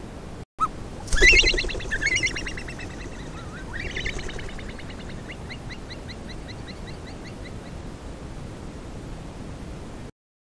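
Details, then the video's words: Himalayan snowcock on a crest at about 3,400 m, Sarychat-Ertash reserve, Kyrgyzstan, 2016, camera trap; gregarious birds regroup evenings calling to keep contact; a loud harsh cackling burst, then a rising whistle and rapid clipped notes about three per second, over wind; alarm calls also given. "Himalayan snowcock calls"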